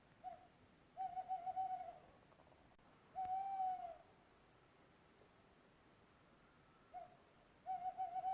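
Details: An unidentified owl, recorded in Europe, gives wavering, slightly tremulous hooting notes in bursts of about a second, four bouts over eight seconds with quiet pauses between.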